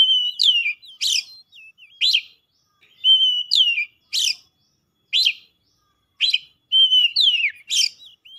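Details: Excited Oriental magpie-robin singing its learned fill-ins. A level whistle bends into a drop and is followed by a sharp chirpy upsweep. The pattern repeats several times with single chirps in between, roughly one phrase per second.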